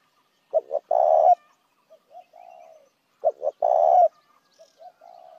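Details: Spotted dove call used as a lure for other doves: two short clipped notes and a longer, rolling, mid-pitched coo, then fainter softer coos, the phrase repeated twice.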